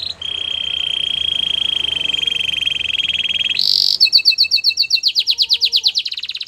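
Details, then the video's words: Song of a white Belgian canary: a long, even, buzzy roll held at one pitch, then a sharp high burst and a quick run of bright, repeated swooping notes about four per second. "White Canary Singing In The Wild | Belgian Canary"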